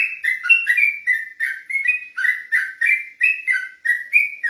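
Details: Night-time ropelan song of an olive-backed tailorbird, with crisp, sliding whistles repeated quickly and evenly, each note falling then rising in pitch.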